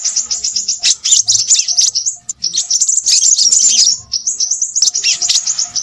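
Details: Crimson sunbird pouring out a hurried, high twittering song: quick repeated chirps about four per second at the start, then a dense chattering burst, a short gap, and more rapid ticking notes.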